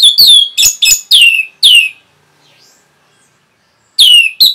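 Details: Orange-headed thrush giving rapid, dense song used as therapy to provoke other birds: six sharp, bright, downslurred phrases in quick succession, a two-second pause, then two more bursts.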